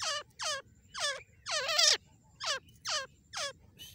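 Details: Female grey francolin, known locally as dakhni or Irani teetar, calling non-stop: a run of eight harsh, rich notes, each sliding steeply downward, given in quick succession over four seconds, one longer note in the middle.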